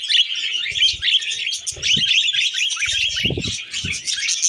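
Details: A group of tame budgerigars eating wheat germ produce loud, tightly packed twittering and squeaky chirps, while low thuds and rustles from feeding break in several times.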